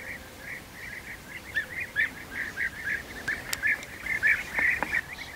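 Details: At a European bee-eater nest during feeding of the young, soft rolling chirps repeat irregularly, faint at first and then louder, mixed with a few sharp clicks and taps.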